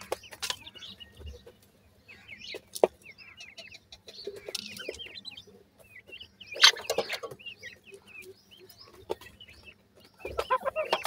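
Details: Chicks of the Sindhi teetar (francolin) with rapid runs of short, high chirps, each rising slightly, in loose series separated by quiet gaps, with occasional sharp knocks and brief scuffling noise.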